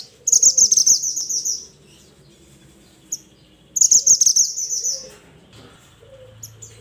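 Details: Mountain mantenan bird singing loudly to call its companions: two bright, high chirping trills of rapid twittering notes, each about one and a half seconds long, separated by a pause with a single short chirp.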